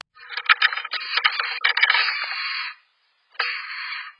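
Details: Black-capped Chickadee snake-display hiss, given inside the nest by a startled incubating female against an intruder. It is a harsh forced exhalation of nearly three seconds with sharp thumps of wings slapping the cavity walls, then a shorter second hiss.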